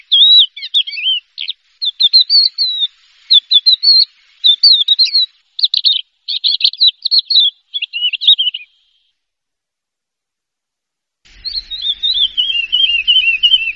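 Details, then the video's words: Horsfield's bush lark, a first-place contest champion, sings a busy run of high, twittering, chirpy phrases, falls silent for about two seconds, then returns with a descending warbled trill. "SUARA BURUNG BRANJANGAN JUARA 1"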